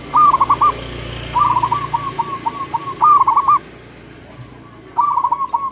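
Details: Several local zebra doves answering one another at dawn: repeated bursts of pulsed, trilling coos, one long run of about eight beats, over a steady low rumble like distant traffic.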